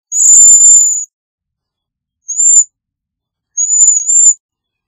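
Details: Cedar waxwing calls: one long, loud, very high thin buzzy trill lasting nearly a second, then two shorter high lisping whistles spaced over the next few seconds, each clean and isolated in silence.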